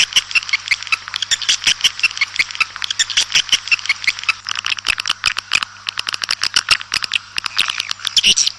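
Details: Swiftlets calling the flock in the open: continuous high twittering and buzzy chatter mixed with rapid sharp clicks throughout, several birds overlapping, above a faint low hum.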